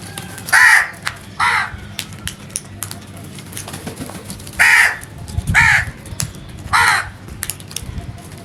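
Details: Crow calling loudly and naturally: harsh, hoarse caws, five of them, coming in two bursts, a pair followed by a trio, with faint clicks and a low background hum between calls.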